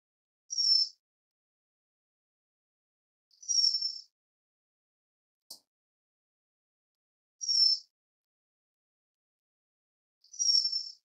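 A White-crowned Forktail gives a thin, shrill, very high whistle about every three seconds, with a couple of faint clicks between calls.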